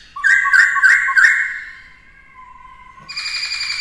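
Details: Black-throated laughingthrush singing with many voices, used to train a young bird to sing: a burst of loud, rich whistled notes in quick succession, then a long, fading, steady whistle and a brief bright, ringing phrase.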